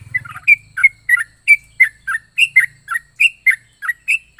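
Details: Yellow-vented bulbul singing its odd, varied song: clear slurred chirps roughly three a second, each a quick bright note dropping in pitch, with a faint low hum early on.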